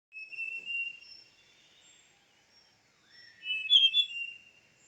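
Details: Female large niltava at Doi Inthanon, Chiang Mai, Thailand. She gives a thin, high, even whistle, then after a pause a second whistled phrase that rises and wavers. The setting is otherwise quiet.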